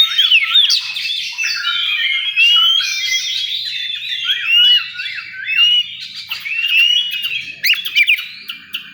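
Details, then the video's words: Oriental magpie-robin at a bird singing contest, giving varied whistled phrases and a quick series of arched, up-down notes, layered over a constant chorus of other songbirds competing nearby. "Suara kacer di area lomba"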